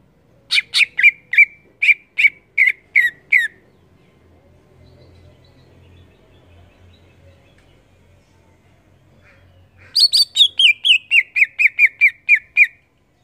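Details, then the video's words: Cucak ijo (greater green leafbird) in lively ngeplong song: a burst of about eight loud repeated notes, several seconds of near silence with a faint low rumble, then a faster, denser series of a dozen bright descending notes. "Cucak ijo gacor Ngeplong"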